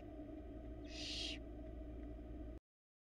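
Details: At a Florida nest box camera, a barn owl gives one harsh, hissing screech of about half a second while the male delivers a rat to the female and an owlet nibbles on it; steady low hum behind.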